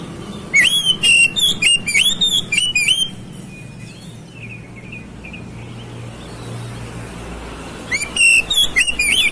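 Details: Oriental magpie-robin song played as a lure to provoke a quick, stubborn fighting response. Loud bursts of whistled, sweeping and rising notes fill the first three seconds and return near the end. Softer chirps fall between, over a low background hum.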